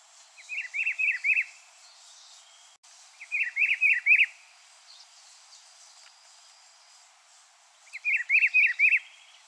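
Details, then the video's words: Song of the rufous-browed peppershrike: three repetitions of a rich, warbling phrase of about five slurred notes, spaced roughly three seconds apart, with soft background noise. "canto do pitiguari"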